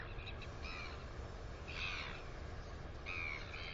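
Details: Northern royal albatross, New Zealand, female chick on a nest camera on 9 September 2020: a faint note, then two clearer harmonic calls with a slightly falling pitch, spaced about 1.3 seconds apart, over steady wind rumble.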